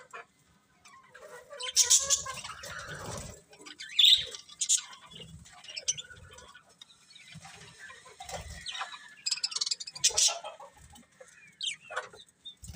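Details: Pet budgies chattering over several seconds, scattered sharp high chirps and scratchy warbles, rising and falling in loudness with soft patter between bursts.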